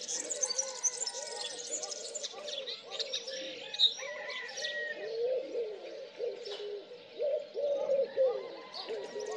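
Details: Male common linnet singing in late winter, just before spring, distracted by a nearby singing European serin: fast, high twittering song of chirps and trills, with low, husky cooing notes beneath it throughout.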